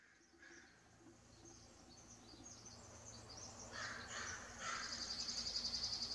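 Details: Bald eagle giving a rapid series of thin, high, piping notes that build in the last two seconds, preceded by faint scattered chirps over a steady low background hum.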